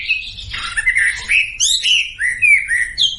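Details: Sumatran leafbird song used to lure silent birds into singing: a harsh, buzzy opening followed by clear slurred whistles and upward-sweeping notes, rich and varied, with brief gaps between phrases.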